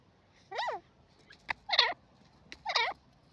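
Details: Three rough, wavering, arched nasal calls of a grey francolin (gora teetar), about one per second, with a sharp click between them over faint low hum.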